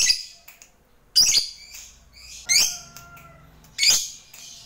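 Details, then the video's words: Lovebird, a fighter bird calling a rival: loud, harsh, shrill squawks roughly every 1.3 seconds, with a faint thin whistle between calls. "Lovebird GACOR MEMANGGIL LAWAN, HANYA Sesaat Dengar LB BISU dan GAGAP, Jadi GACOR NYAUT NGEKEK"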